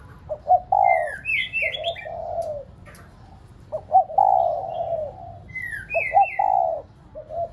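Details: Decoy spotted dove (ground dove) cooing to stimulate other pet doves: short clipped notes, then a long, low, drawn-out falling coo, repeated about every three seconds. Higher thin chirps from another bird are heard between phrases.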